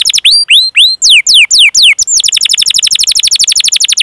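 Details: Canary in a training song for young or silent canaries. It starts with slow, clear down-slurred whistles about four per second, then shifts into a quick, even roll of short repeated chirps.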